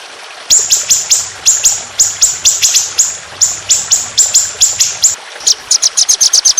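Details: Aggressive trotolan 'shot' song used to train songbirds, recorded with trickling water. Loud, very high, downslurred chirps repeat rapidly and without a break, speeding into a quicker run of notes at the end.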